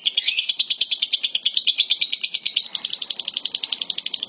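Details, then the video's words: ['Lovebird making an unusual sound: a shrill, harsh pulsed chatter repeated about three times a second, steady throughout, indoors.'] "love bird suara aneh tapi nyata"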